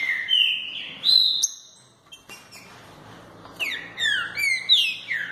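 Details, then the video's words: Green-winged saltator song praised for its strong delivery: loud clear whistled phrases, some held and some sliding down, with a quiet gap in the middle before a run of falling slurred notes. "Fibra impressionante desse trinca"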